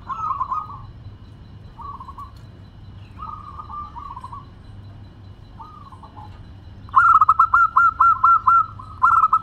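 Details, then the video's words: Several short, soft coo phrases from zebra doves give way to a loud, rapid run of clipped, ringing notes from a local bird singing vigorously in a clear crystal tone. "Perkutut Lokal Gacor Suara Kristal"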